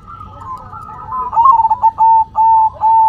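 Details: Zebra dove coo, head shaking as it calls: a rapid trill of low pulses settling into several long, steady, mellow notes in a row.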